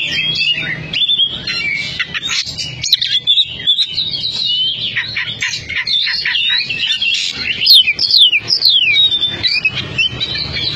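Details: Competition Oriental magpie-robin (kacer) from a Cianjur team, pouring out a fast, energetic song of varied whistles, rising and falling slurs and harsh chatter, nearly unbroken for about eleven seconds, with soft low background rumble.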